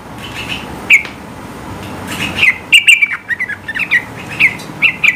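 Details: Yellow-vented bulbul song, high-pitched and meant to provoke rival birds into singing. One sharp chirp, then a dense sequence of bright, slightly falling notes tumbling together, with softer chatter in between.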